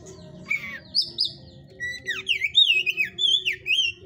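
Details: Oriental magpie-robin of the 'hot type' in a breeder's cage: scratchy notes give way to a lively stream of loud whistled, looping phrases that swoop up and down quickly, with a faint hum behind.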